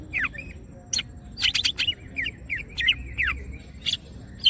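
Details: Gacor song of a greater green leafbird spreading its wings, used as masteran material: clear slurred whistles dipping and rising, broken by sharp bright chirps, with steady faint low noise behind.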